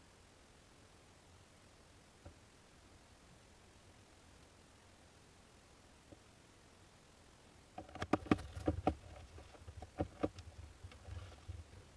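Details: A low, steady hum for most of the clip, then a burst of scraping, tapping and rustling handling noises near the end, with no animal calls.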